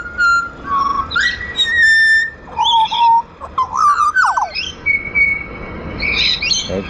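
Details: A wild pied butcherbird (Cracticus nigrogularis) in Australia, being hand-fed and encouraged to sing, gives a rich, fluting phrase of clear whistles stepping up and down, with a few harsher chattering notes mixed in.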